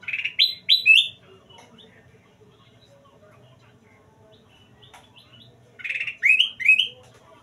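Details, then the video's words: A sooty-headed bulbul in full song gives two bursts of three bright, bubbly slurred notes, about five seconds apart, with quiet between. "suara kutilang emas gacor"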